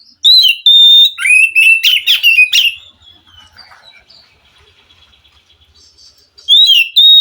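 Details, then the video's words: White-rumped shama from the wild, sung to coax a caged bird into song: clear whistle, a fast burst of varied loud chirps, a softer stretch of faint twitters, then whistling again. "Suara Kacer asli hutan mampu merespon Kacer yang malas bunyi Kacer macet"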